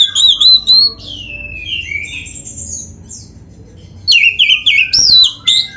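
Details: Oriental magpie-robin performing 'full isian' song for training caged birds: long, clear, falling whistles, a quieter pause, then a lively run of short looping whistled notes.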